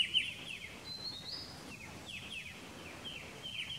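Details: In Pelling, Sikkim, India during May, a Striated bulbul (Pycnonotus striatus) gives rapid falling chirps in loose groups, with one rising thin whistle near the start and quiet ambient hiss throughout.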